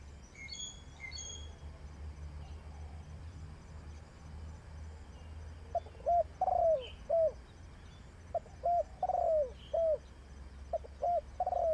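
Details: Spotted dove kept as a trapping decoy, its cooing starting midway: short notes followed by longer falling coos in quick pairs, with faint higher chirps from other birds earlier and a low rumbling background.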